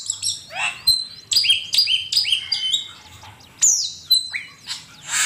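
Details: Master recording of an Asian pied starling for training songbirds, the bird giving quick repeated bright chirps and short whistled slurs in steady bursts, some notes sliding downward, with a faint low hum behind.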